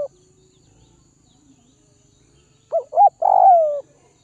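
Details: A spotted dove of the Tây Bắc (Northwest) region, tamed through feeding, gives a single full coo after a quiet stretch: two clipped upward notes followed by a sustained mellow coo that droops at the end.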